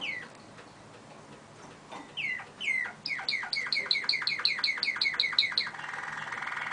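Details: Malinois (Waterslager) canary song opening with scattered sliding whistles, then a fast, regular run of short chipped notes, several per second, ending in a smooth rolling trill.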